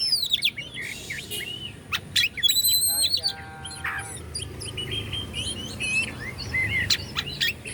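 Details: Oriental magpie-robin, a Bandung kacer, sings to rouse other birds into answering. The song is a rapid jumble of high chirps, sweeps and buzzy trills, broken by sharp clicks and a short rattling run midway.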